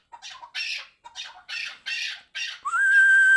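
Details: Chukar partridge from Qabodiyon: a series of harsh, rasping chuck notes, about two per second, followed at the end by a steady, high, drawn-out whistle.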